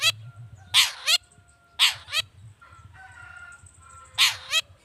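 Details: Long-tailed shrike giving spaced harsh, nasal, rasping calls, used as a lure for other shrikes; three drawn-out grating notes about a second apart, with a faint steady tone and low background noise.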